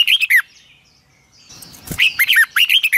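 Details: Red-whiskered bulbul singing in captivity for morning training: a quick warbled phrase, a short pause with a soft thump, then another burst of bright slurred whistled notes falling at the close.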